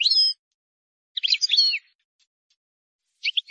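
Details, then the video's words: European goldfinch, a wild bird, in error-free song meant for teaching fledglings: three quick phrases of bright, tinkling, rapidly changing whistles with pauses between them against a silent background. "غناء حسون بري خالي من الاخطاء لتسميع الفراخ"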